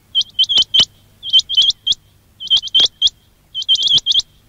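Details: Loud, dense quail lure calling for trapping: overlapping bursts of bright, rising chip notes, three to five per burst, in three main groups, with almost no pause inside each group.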